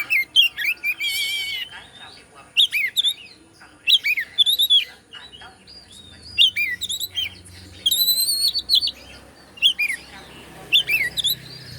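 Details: Indonesian white-rumped shama singing to provoke rivals: a dense stream of varied whistles, rapid trills and sweeping slurred notes, phrases coming every second or so.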